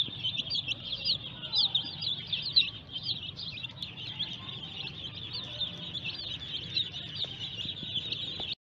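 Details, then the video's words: Several newly hatched domestic chicks calling at once, a dense unbroken chorus of shrill, rising-falling peeps repeated rapidly throughout, over a faint low hum. "Amazing Cute Baby chicks Are Here"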